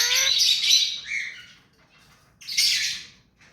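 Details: Hand-tame pet rose-ringed parakeet giving two loud, harsh, high squawks, the first drawn out with a falling tail, the second short after a pause, in a quiet room.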